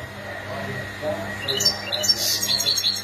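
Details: Stimulation calls of the European goldfinch: after a hum-filled pause, a quick burst of high, metallic chirps and twittering notes rising in loudness.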